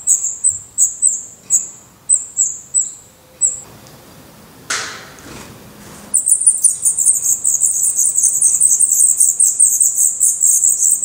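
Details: Black Redstart nestlings, eyes open, feathering out in a nest in Portugal. Evenly spaced high squeaks give way to a short pause and a loud rustle, then a sustained, dense chorus of shrill calls.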